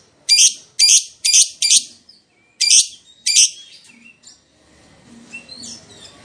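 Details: Lure recording of an excited lovebird's 'ngekek' song, played to make other lovebirds answer: six loud, rasping, high bursts roughly two per second, followed by softer twittering and faint background hum.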